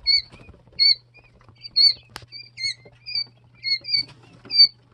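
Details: Loud, clear high peeps from two- and three-day-old Jumbo White Quail chicks, each note falling slightly and carrying an overtone, given in quick succession by more than one bird, with a single click midway.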